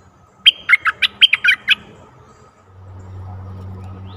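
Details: Bulbul used as a decoy to draw in a very old wild bird, 11 August 2021: one rapid phrase of about eight sharp whistled notes lasting just over a second, followed by a low steady hum.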